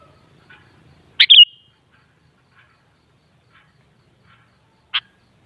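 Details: Sooty-headed bulbul (kutilang) played to coax another kutilang into answering and singing: one short, bright, slurred two-part whistled phrase, then silence and a single sharp click near the end.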